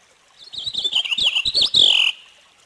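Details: Purple finch delivering a quick, rich warble of fluid, tumbling notes. The phrase ends in a louder, slightly buzzy slurred note, and the whole phrase lasts about a second and a half.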